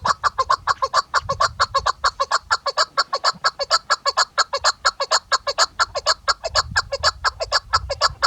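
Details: Female chukar partridge, whose call is used by hunters, giving a rapid, steady run of harsh clucking notes, about two per second, with broad, raspy tones and faint background rumble.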